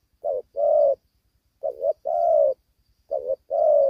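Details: Young spotted dove, its neck spots not yet fully grown, calling while fighting fiercely. The call is a low coo in repeated pairs: a short note, then a longer, steady one, about three pairs in four seconds, on a quiet background.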